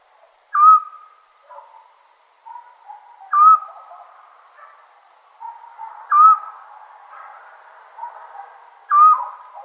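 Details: Eurasian scops owl calling on a summer night in Serbia: four short, clear whistled notes, each a brief upward slide that then holds steady. They repeat about every three seconds, with faint, softer murmuring sounds between them.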